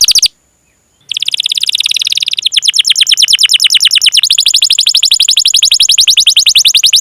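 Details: Domestic canary in long rolling song, played as a lure to prompt other canaries to sing: a sustained, rapid, metallic trill of evenly repeated notes that shifts in speed and pitch, after a brief silence near the start.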